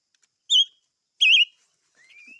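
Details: Silver-eared mesia song with two loud, quavering whistled notes about 0.7 seconds apart, then a soft, rising thin whistle trailing off; quiet background.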